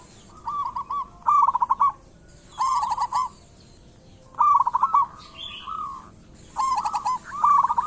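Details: Local zebra dove, or perkutut, singing as a lure for others; rolling cooing phrases spaced by short pauses, some loud and stuttered, with a higher chirping call in between.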